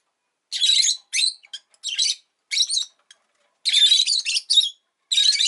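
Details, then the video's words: {'caption': 'Strident, rasping chirps from a pet rosy-faced lovebird, delivered in uneven bursts, with a longer rapid run of notes near the end.'} "Lovebird Chirping Sounds"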